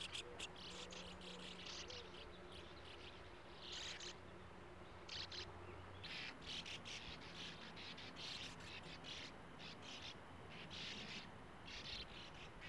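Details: Sand martins calling around their breeding burrows in a small earth mound at a gravel-pit lake. Rapid dry chirrs come in irregular bursts, with a faint low engine-like drone in the background.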